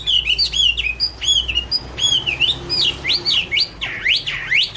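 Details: Chinese hwamei singing in autumn, loud clear whistled notes sliding up and down, repeated in varied phrases and ending with rapid rising sweeps.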